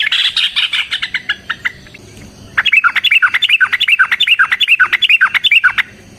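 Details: Long fighting song of a sooty-headed bulbul, meant to draw song from other bulbuls: a fast burst of chattering notes, a short silence, then a loud, rapid run of looping whistled notes repeated more than twice a second.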